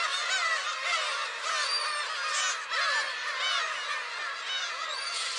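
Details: Crowd of black-tailed gulls up at a shrine, Friday 10 July: continuous overlapping mewing, plaintive downslurred cries jostling one another, with a brief dip in volume midway.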